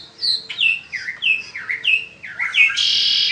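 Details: Spring song of a Peninsular mockingbird, a fast run of varied slurred whistled phrases that dip and rise, ending in a harsh, loud buzzy burst.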